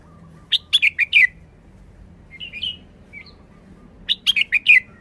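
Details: Caged red-whiskered bulbul giving a short, easy forest-style song: a clipped four-note whistled burst, a few soft slurred notes, then the same four-note burst repeated about three seconds later, in quiet surroundings.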